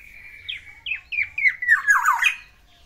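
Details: Pet male black-naped oriole wooing a female with its isian: a short phrase of downslurred squeaky notes that speed up and run together into a rough, tumbling warble at the end.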